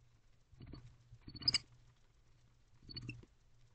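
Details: Night-time nest box recording of an affectionate owl pair allopreening, 8 November 2023 at 2:07 am; three bursts of raspy, high chittering, the middle one loudest, separated by short pauses over a low hum.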